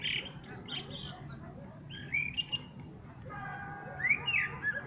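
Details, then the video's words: Common blackbird song: a quick fluted phrase at the start, then a pause, then thin squeaky notes, and finally a sustained tonal note leading into a high twittering flourish. "Пение чёрного дрозда."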